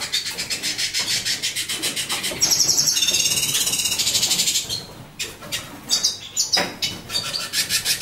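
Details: A captive lilac-breasted roller from a free-roaming pair that bred in a living room, raising two chicks hatched in September 2013, gives harsh, rasping calls in quick scratchy bursts, with a thinner, more tonal chattering passage midway.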